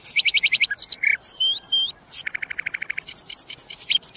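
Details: A common nightingale (sikatan londo) pours out fast repeated notes, a few piercing whistled phrases, then another long even volley of clipped notes and high chirps.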